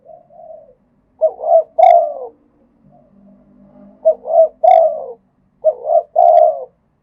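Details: Spotted dove from Thailand cooing in both khat and nun styles. A soft lead-in coo precedes three emphatic phrases of paired short notes and a long falling coo, with quiet low murmurs between them.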